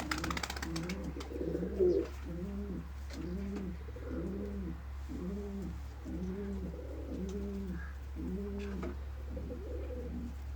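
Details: Pigeon cooing in a steady series of low, soft double-toned coos, about eleven in ten seconds, each roughly evenly spaced, over a constant low electrical hum.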